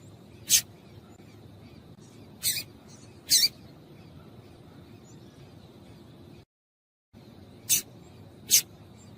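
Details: Female double-collared seedeater giving calls meant to stir a male into singing: five sharp, high, sparse chips spread over several seconds, with a steady faint hum in the background and a short break of silence.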